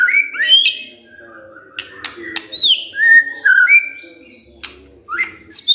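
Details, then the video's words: Provoked white-rumped shama singing back vigorously: varied clear whistled phrases, some rising, some falling, mixed with sharp clicks and short metallic notes, given in quick irregular bursts with brief pauses. "tidak nyampe 3 menit murai TERPANCING emosinya, nyaut GACOR"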